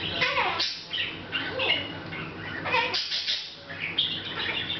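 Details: Pet Hahn's macaw chattering a little on its own, August 2012: a rambling string of short chirps, squeaky whistles and throaty murmurs at an irregular pace, with low background hum.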